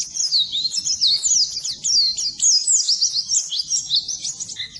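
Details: Pleci, the Oriental white-eye, in full training song for birds that stay silent: dense, very high twittering with quick overlapping rising and falling slurs, almost continuous for five seconds.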